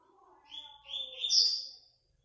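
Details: Double-collared seedeater song recorded for an online singing tournament: a single short phrase climbing from whistled notes to a loud, piercing high trill, with faint steady lower tones in the background.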